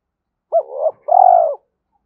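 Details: Spotted dove coo in the two-ending calling style: a short rising-falling hooked note slides into a drawn murmur, then a sustained, slightly falling, purring coo about half a second long, on a quiet background.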